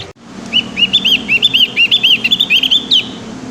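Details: Young Javan grey-throated white-eye practising its song: a quick run of about a dozen high, bouncing chirped notes in a rambling, uneven phrase, with faint low rumble behind.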